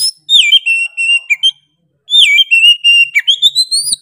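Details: Energetic 'gacor' singing from an Oriental magpie-robin: two bursts of clear, strong whistles, each opening with a falling slur and flowing into quick repeated notes, the second ending in an upward sweep.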